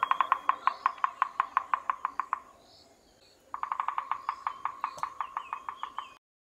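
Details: Bearded Woodpecker in southern Africa drumming: two loud, resonant rolls of rapid, evenly spaced knocks, about eight per second, each over two seconds long, with a short pause between.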